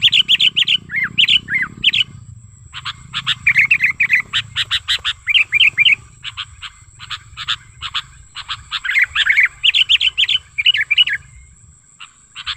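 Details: Wild sooty-headed bulbul giving a lure call used to train and attract other bulbuls: rapid, busy series of chattering warbles and sharp chips with low rumble early on and a faint high whine.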